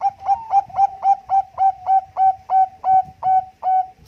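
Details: Competition-standard song of a Bangkok zebra dove, offered as a lure: about fourteen steady, evenly spaced coos with a hooked, bell-like quality over a faint low hum.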